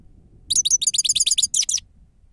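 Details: Grey-crowned goldfinch "sava" song used as a lure: an even, rapid series of about twelve high, liquid twitters, with a faint low hum underneath.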